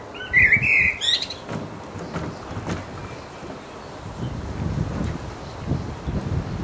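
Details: Quick rich warble near the start from a resident blackbird's mating song, followed by several seconds of low rumbling background noise with no more song.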